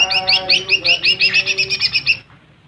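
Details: Lesser green leafbird singing to rouse rival birds: a fast series of about fifteen clear, ringing, slurred notes, evenly spaced and steady in pitch, ending abruptly, over a soft lower humming tone.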